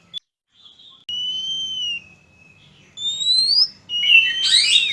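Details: Oriental magpie-robin, male and female, song used as a lure for trapping birds: long pure whistles, one level then slurring down, another rising, followed by a harsher burst of rough notes.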